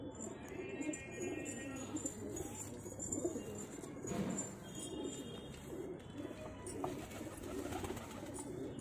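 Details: A pigeon pair keeps up low, throaty cooing throughout, with bursts of louder rolling coos, over a faint musical tone and background clatter.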